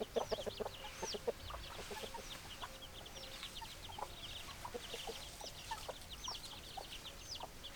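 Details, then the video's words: Flock of hens clucking: many short, low, clipped notes in irregular quick succession from several birds, with fainter higher squeaky calls scattered throughout; no crowing heard. "Chicken Sounds Noises Hens Clucking Roosters Crowing"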